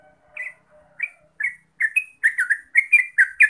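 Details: Yellow-vented bulbul, called trucuk, giving gacor ropel lure song. Spaced bubbly whistles at first, then a dense burst of quick liquid chattering notes that speeds up over the final two seconds.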